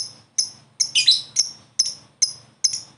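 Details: Promising young lovebird answering another: sharp high chirps spaced about every half second, with one harsher rasping burst in the middle.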